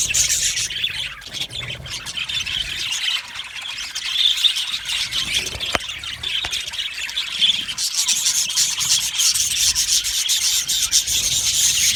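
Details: Many happy budgerigars kept in an aviary produce a constant rasping, twittering chatter of high chirps and squawks, a single sharp click near the middle.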